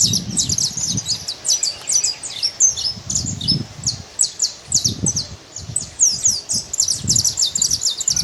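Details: Out in nature, a free saffron finch delivers bright, high twittering chips in quick succession, with soft low thumps of wind or rustling recurring every second or so.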